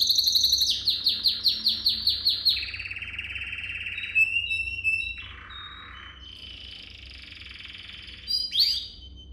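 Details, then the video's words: Training song of a canary: rapid repeated downslurred chirps, then a buzzy rolling trill, a low rattling burst and a sustained higher buzzy trill ending in a sharp rising sweep. "Most powerful song for training Canary"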